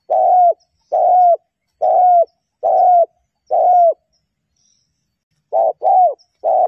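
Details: Female spotted dove used as a lure to stir males, noise removed: short, even mellow coos given about once a second, then a quicker run of three clipped notes.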